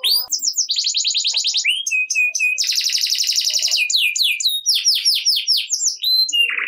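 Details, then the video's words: Energetic canary song used as a prompt for silent canaries: dense buzzy rolls, short flat whistles and rapid repeated downswept chirps in a continuous loud stream, ending on a lower buzzy trill. "Kenari Gacor Ngerek Cocok Buat Kenari Yang Malas Bunyi Jadi Ikut Bunyi Seketika || Voice of Canary"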